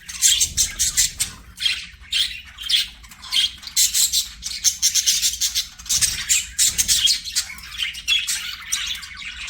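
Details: Budgies singing while they play: rapid scratchy, rattling chatter in dense bursts, rising and falling in loudness across the clip, with no other clear sounds.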